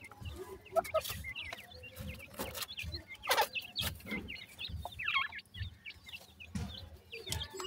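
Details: Several grey francolin chicks calling for their mother with high, wavering peeps in an uneven chorus. Frequent rustling bursts and clicks sound among the calls.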